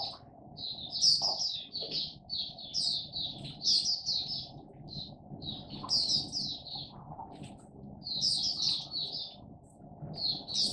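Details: Oriental white-eye (Mata Puteh) in a cage, singing its 'buka' song at a slight distance: clusters of thin, high twitters every couple of seconds above a noticeable background rumble.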